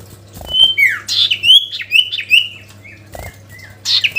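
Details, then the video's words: Sooty-headed bulbul singing to call a rival: clear whistled notes that slide up and down, some short and sharp, some drawn out, in bursts with brief pauses, over a faint steady low hum. "SIRTU GACOR MEMANGGIL LAWAN‼️ Suara Asli Alam Durasi Panjang"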